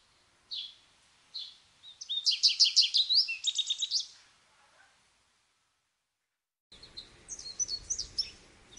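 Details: American goldfinch song: two clipped high chirps open into a rapid, sweet twittering burst, then silence before a second stretch of thinner twitters over soft background hiss.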